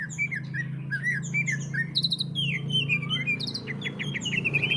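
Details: Greater green leafbird in ngentrok song meant to provoke other leafbirds to sing, giving looping whistled phrases, then sweeping downslurred notes and a quick run of clipped, rattling chips at the end, against a low background hum.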